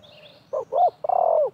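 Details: One cooing phrase from spotted doves, wild and decoy birds dueling during trapping: two short husky notes, then a longer throbbing coo that slides downward. Thin distant bird chirps sound behind.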